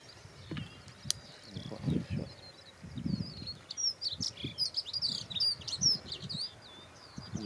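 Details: Dunnock singing while perched and looking around on a yellow rapeseed (canola) plant in a field: a fast, high, jumbled warble of squeaky notes lasting a few seconds, over low rumbling wind noise.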